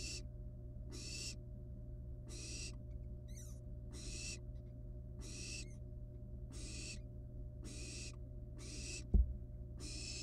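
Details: Barn owl nestlings in a wild nest, playing with a still-living rat, repeat short rasping hisses roughly once a second, about eleven in a row, with one sharp knock and a constant low hum beneath.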